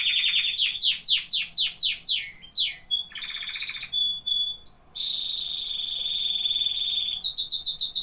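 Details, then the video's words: A canary sings a varied song: rows of falling whistled sweeps, buzzy rattles, clear pure tones, a long steady trill, then more sweeps at the end. "Singing canaries."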